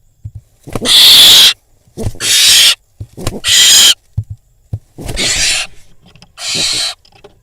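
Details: Barn owl fledgling at an Israeli nest cam, after a prey drop and eating beside an unhappy pigeon: five harsh, broadband hissing screeches, each under a second, separated by short pauses, with faint clicks and rustles between.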